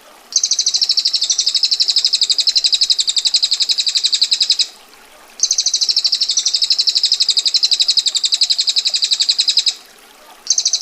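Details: Female bar-winged prinia singing a long ngetir roll, tight and coarse: two sustained high rattling trills of roughly four seconds each, separated by short silences, with a third beginning at the end.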